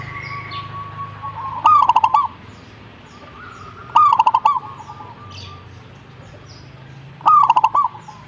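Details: Answering song of a zebra dove, repeated three times: a rising whistle-like coo tumbling into quick, rolling, pulsed notes. Faint higher chirps from other birds and a low background hum are heard between the phrases.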